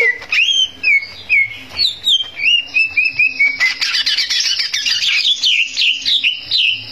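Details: Greater green leafbird singing to make rivals furious: a series of clear, down-slurred whistled notes about three a second, then a dense rush of high, jumbled chattering.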